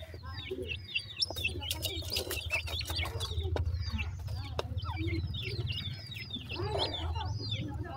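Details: Black francolin chicks: many high, short downslurred peeps overlap in a busy chorus above a steady low hum, with a few scratchy rustles.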